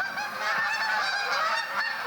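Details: Canada geese honk continuously overhead while migrating south in late fall or early winter, many nasal overlapping calls blending into a steady chorus with no pauses, heard on a cold morning at a provincial park campsite in Ontario.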